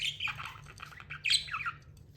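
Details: Brief, quieter budgerigar twitter: a run of small chirps and warbled notes ending in a slightly louder squeaky phrase, over noticeable low background hum.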